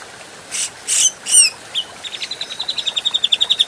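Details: Grey-cheeked bulbul, adult, in a clear training recording: three harsh, grating notes, then a short slurred note and a steady, accelerating run of thin high chirps that grows louder.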